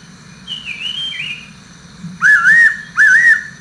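A Fairy pitta gives loud, clear whistles that rise and then level off, repeated about once a second, after a fainter, higher whistle.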